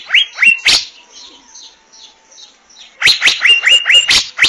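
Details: Asian fairy-bluebird (Irena puella), or Chim Lam: a few snappy rising whistles open, followed by a quiet pause with a faint steady tone. A fresh string of quick, sharp notes ends the recording.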